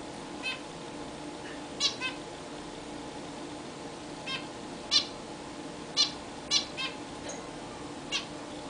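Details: Zebra finches in a new, larger cage, taking their first bath there. Brief nasal beeping calls sound irregularly, some doubled, against a constant low indoor hum.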